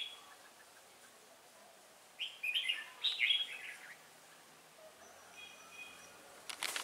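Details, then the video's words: Red-whiskered bulbul used as a trapping decoy in Hoa Binh, Vietnam, 18 December 2016; after a quiet start a cluster of loud warbled notes, followed by faint thin whistles and a closing click. "Bẫy chào mào mồi Hòa Bình ché bay xác"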